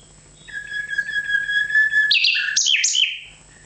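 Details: Nightingale delivering a long, pure whistled note held for over a second and a half, swelling in volume, then breaking into a quick loud jumble of high rattling and liquid notes; faint low hum in the background.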